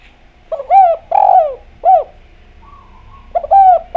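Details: Spotted dove (derkuku) singing actively with a clear voice, used as a lure recording to prompt other doves to sing. Low mellow coos: short notes, a long drawn-out slurred coo, then an arched coo. Two phrases, with a faint higher warble between them.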